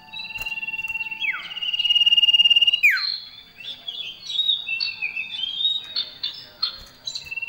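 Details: Male common iora in full song, its variations filled with other birds' phrases. A long, steady, high whistle gives way to a steep downward slur, followed by a busy run of short, varied whistled notes and chirps.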